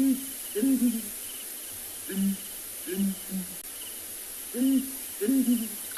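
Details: Breeding pair of Southern Ground Hornbills, male in focus, duet at sunrise on 29 December in Tswalu Kalahari Reserve, South Africa, giving deep, soft booming hoots in short phrases every second or so over a steady high insect hiss.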